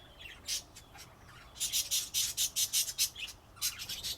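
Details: Budgerigar chatter: a few scattered high chirps, then a fast run of about ten loud, scratchy, evenly spaced notes, closing with a softer burst of twittering.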